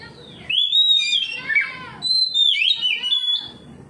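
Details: Oriental magpie-robin replying to another magpie-robin with two long phrases of sweet sustained whistles, each sliding and breaking into burry warbled notes.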